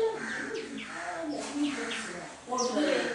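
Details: Little spiderhunter chick just out of the nest giving sharp, high, downslurred chips about twice a second, with low cooing and murmured voices underneath.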